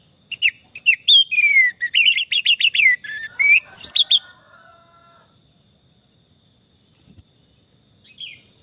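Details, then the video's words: Orange-headed thrush song from a stressed bird that has stopped singing: a rapid run of high, sweet whistled and slurred notes for about five seconds, then silence broken by two short high phrases. "Terapi Anis merah stres dan macet bunyi"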